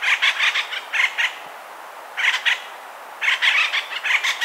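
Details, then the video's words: Acorn woodpecker giving harsh, raspy notes in quick bursts of three to five, with brief pauses between the groups against a quiet background. "Acorn woodpecker sounds"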